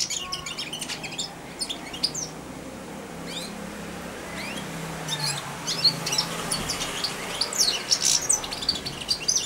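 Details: Four-month-old caged goldfinch practising babbling subsong near a feeding hand; loose, high-pitched twitters and squeaky notes scattered irregularly, louder toward the end.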